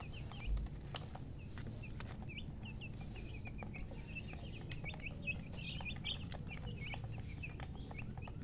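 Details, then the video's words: Baby chickens chirping steadily: many short high peeps, some rising or falling, come in close succession throughout, with low constant rumble and occasional tapping clicks underneath. "Baby "Chicks Chirping" Sound"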